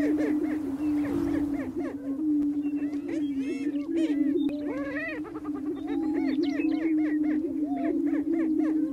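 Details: Greater prairie chicken males displaying together on a spring booming ground on North American prairie to attract females, with a steady low moaning drone layered with many quick whooping, cackling notes.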